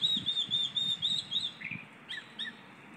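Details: Chalk-browed mockingbird, apparently an old bird, singing a melodious song: a run of clear whistled notes near one pitch, then a few short slurred phrases with pauses.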